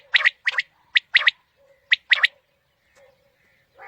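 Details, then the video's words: Quail call for morning hunting: three quick phrases of one crisp note and a double note in close succession, then faint soft notes and a nasal burst at the close. "Quail Calling 2020 | Batair Ki Awaz suba ki shikar Ki liye|Saaf Batair Ki Awaz"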